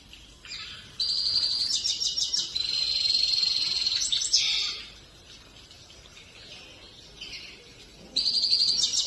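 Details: Grey-crowned goldfinch singing: bright high twittering phrases and sustained buzzy trills, with a pause of softer notes before another burst, over a steady background hiss.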